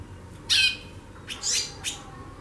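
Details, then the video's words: A loud, buzzy rasp followed by two shorter scratchy chips from a female White-bellied seedeater chattering busily, with a low hum underneath. "FÊMEA DE CHORÃO XAXANDO MUITO"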